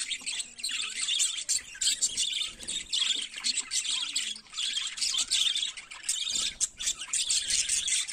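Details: Flock of budgerigars singing in the morning, a long run of bright chirps, squeaks and rippling warbles layered together, dipping briefly around six seconds before resuming just as busy.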